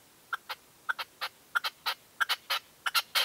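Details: Dawn decoy session in 2023 with a red-legged partridge: a short, loud note followed by a longer harsh one, repeated as a galloping rhythmic chant about every two-thirds of a second.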